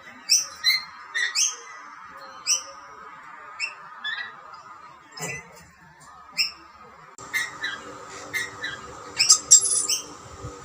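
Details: Rainbow lorikeets squabbling over two plates of snacks while a dominant male drives off rivals; quick bright chirps repeat in clusters, with a steady hum behind them and a noisier, busier stretch near the end.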